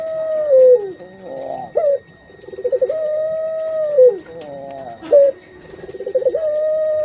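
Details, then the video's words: Female puter pelung dove, a kept pet bird about to lay eggs, gives long tonal coos that hold steady and then slide downward. Each coo is broken by short rising notes and a brief stuttering roll. A faint steady whine runs behind. "Suara Indukan Burung Puter Pelung"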